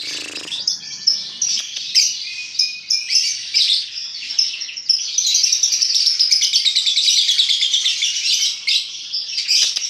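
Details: Lovebird 'paud' chatter serving as a lure to prompt singing: a long, busy run of shrill twitters and squeaks with quick accented bursts, growing denser and steadier in the second half.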